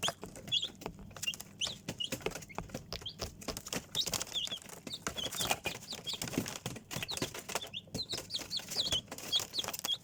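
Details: Chicks peeping: many high, thin rising and falling peeps overlapping throughout, with frequent soft rustling and scratching sounds.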